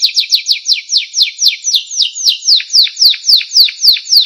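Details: Canary singing as master audio for songbirds: repeated sharp down-slurred whistles, quick at the start and steadily slowing to about three per second, loud and clean.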